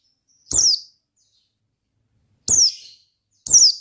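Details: Ngalas song from an Oriental white-eye: three separate high, clear chirps, each falling sharply in pitch, spaced one to two seconds apart in a quiet background.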